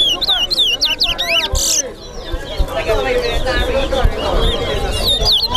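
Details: Towa towa (chestnut-bellied seed finch) singing in a contest at Lusignan, Guyana: a fast run of clear whistled swoops at the start, then fainter notes under louder talking.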